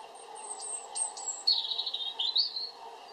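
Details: European robin singing: thin, high whistled notes that lead into a fast, sweet warbling phrase with quick rising and falling twitters.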